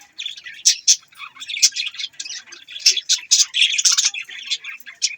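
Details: Close, loud budgie chatter: rapid scratchy chirps and warbled notes pouring out almost without pause.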